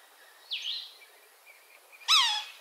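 Red-naped sapsucker giving a thin, quickly falling note, then a louder harsh, nasal, downslurred squeal a second and a half later, over a quiet background.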